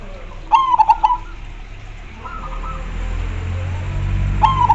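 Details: Zebra dove in energetic song answered by other doves. A loud phrase of fast staccato coos, a faint reply in the middle, then another loud phrase starting, over a low rumbling hum.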